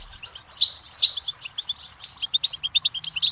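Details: Goldfinch pouring out a fast, bubbling twitter of high chirps and ringing notes, speeding into an even run of clipped tweets in the second half.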